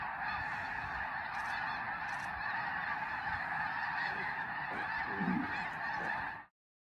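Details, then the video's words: Massive snow goose flock wintering at Tule Lake and Lower Klamath refuges, California–Oregon border, producing a constant clamor of overlapping honks that stops abruptly near the end. "Snow Geese flocks at Tule Lake"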